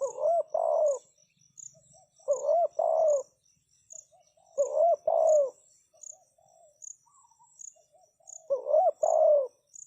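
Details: Spotted dove used as a decoy, calling to lure wild doves: four low, hoarse two-part coo phrases, a short note then a longer rolling one, about every two and a half seconds, over steady high insect buzzing.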